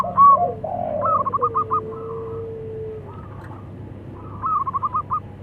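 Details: Local zebra doves calling to each other, male and female; a loud opening note, then a pulsed rolling coo series, a long steady low tone, and another stuttered coo phrase at the end.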